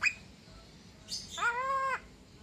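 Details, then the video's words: Javan myna kept as a pet since young, about two years old and known to imitate various sounds, gives a short noisy burst and then a drawn-out nasal, harmonic squawk lasting about half a second. "Suara Burung Jalak Kebo"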